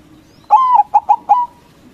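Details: Loud song of a local white zebra dove, used to provoke rival doves to answer: a sustained coo, two quick short notes, then a final longer coo.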